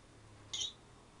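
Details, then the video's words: A 10-year-old pet African grey parrot imitating a sound effect: one short, high, bright electronic-like beep lasting about a quarter second, in a quiet indoor room. "African Grey Talking/Sound Effects"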